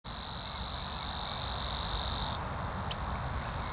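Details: Savi's warbler in reeds at Zakole Wawerskie, Poland, 12 April 2023: a steady, insect-like buzzing reel for about two seconds, stopping abruptly; a low rumble of distant background noise continues.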